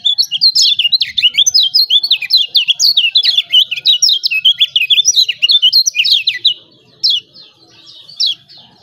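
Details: Lombok lemon-bellied white-eye singing excitedly, a master track to trigger song in birds reluctant to sing; rapid, unbroken high twittering of sharp slurred chirps for over six seconds, then a few spaced notes.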